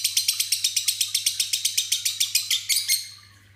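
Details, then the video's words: Caged lovebird in ngekek, raising one foot as it calls, with mimicked fill-ins of other birds; an even rapid trill of about six harsh high notes a second for three seconds, slowing and ending, quiet room. "love bird ngekek isian"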